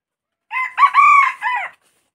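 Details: A single close crow from a red junglefowl, loud against a silent background: a short first syllable, a quick rising second, a long level drawn-out note, then a shorter dropping end, about one and a quarter seconds overall.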